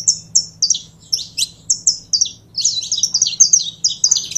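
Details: Saffron finch starting with spaced, clear high notes, then speeding into a rapid tumbling string of sharp chirps, with a soft low hum.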